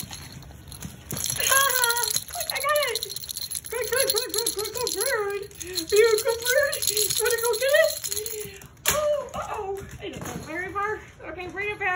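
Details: Pet Moluccan cockatoo singing indoors in a small room. Its curved, wavering, harmonic notes come in bursts over about ten seconds, mixed with a shaken toy rattle and a person talking back in a baby voice.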